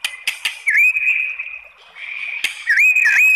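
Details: White-rumped shama song provoking other shamas to answer: a few sharp clicks, then long sustained whistles that swoop up from a lower note and hold steady.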